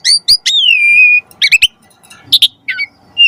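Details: Asian pied starling singing: two sharp chips, a long drawn-out whistle settling to a level tone, then scattered short buzzy notes separated by pauses.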